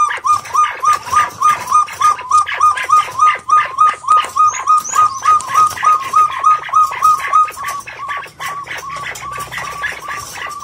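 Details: White-faced partridge giving a long series of short whistled notes, about three or four a second, steady in pitch and rhythm for about eight seconds before fading, with faint background noise.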